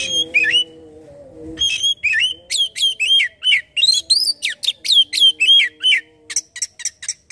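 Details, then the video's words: Oriental magpie-robin song meant to trigger singing: rapid sequence of loud whistled notes, rising and falling slurs and sharp chirps, delivered quickly over a faint steady low tone, ending with short clipped high notes. "Burung Kacer langsung bunyi dengar ini"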